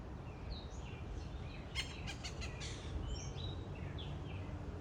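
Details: Blue jay in a backyard, chattering at the person who feeds it peanuts: a tight cluster of harsh, noisy notes mid-clip, with faint thin whistles from other birds, steady background noise and a man talking nearby.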